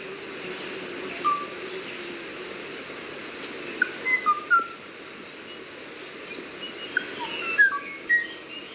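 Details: Kauai ʻōʻō delivering two spaced bursts of short whistles, each of three or four clear notes at slightly different pitches, over steady background noise.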